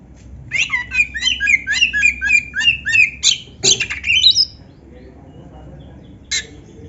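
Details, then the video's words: Tutor recording of an Oriental magpie-robin with canary phrases: a quick series of about ten looping chirped notes, a harsh squawk, an upslurred whistle, then near silence broken by one sharp note. "suara Kacer gacor isian komplit | Masteran Kacer ISIAN Burung Kenari"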